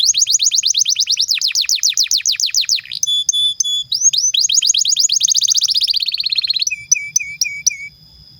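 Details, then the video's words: Pet canary in full song with rapid rolling trills of downward-sweeping notes, brief steady whistled tones, another long fast trill, then a run of short repeated whistles; clean recording with no other sounds. "PANCINGAN Kenari GACOR PANJANG"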